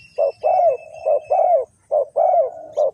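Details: Spotted dove from Ninh Thuận, kept to attract wild doves into a trap, cooing in short-long pairs; the long notes bend slightly downward, pattern repeating roughly every second, with a thin faint whine above.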